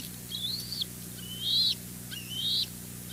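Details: Bald eagles at the West End nest during a double fish delivery, young males rushing the adult male; three high thin upslurred whistles, roughly one per second, over faint low hum.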